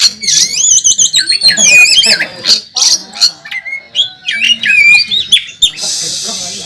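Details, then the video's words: Kacer, the Oriental magpie-robin, singing hard on the contest track: clear rising and falling whistles mixed with scratchy buzzes and quick chips, phrases bursting out in rapid succession, with a brief hissy noise near the end. "Burung Kacer Tarung Ngobra ngotot saat di trek"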